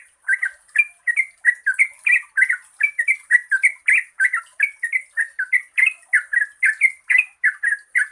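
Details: Yellow-vented bulbul singing a long, lively 'gacor ropel panjang' lure song for quiet birds: quick chattering, warbled notes rising and falling, about three each second in an unbroken run, with a steady thin high hiss.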